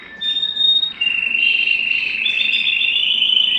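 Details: Excited canary wanting to mate, holding long, pure whistled notes that step down in pitch, then a sustained slightly rolling tone.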